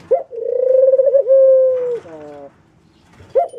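Mourning dove giving a soft, hollow, low-pitched coo that holds steady with a slight waver, then drops into lower notes. No other sounds stand out.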